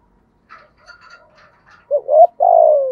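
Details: Spotted dove in the 'giọng thổ' style used as a decoy: after faint scattered chirps, one loud phrase of a rising hoot and a long, slowly falling coo.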